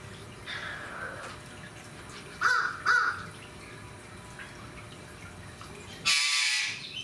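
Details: A galah at Fukuoka Municipal Zoo, Japan, gives two short, harsh screeching notes close together, then one louder, longer shrill screech, with a fainter call at the start over a low background hum.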